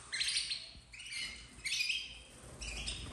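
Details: Captive-bred domestic canary chicks of 2024, red snowy colour, uttering three broad rasping chirp bursts roughly one second apart, each with stacked high tones, over faint background rumble.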